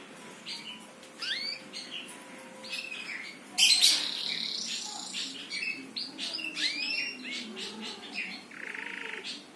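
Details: Birds chirping: a busy mix of short chirps and curved upswept notes, with a brief loud noisy burst near the middle and a steady low background hum.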